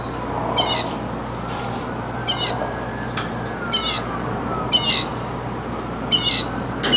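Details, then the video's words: Mockingbird song made of brief harsh, buzzy notes repeated at irregular intervals of roughly a second, with a sharp click midway and a low continuous hum and drifting tone beneath. "Mockingbird in Concert!"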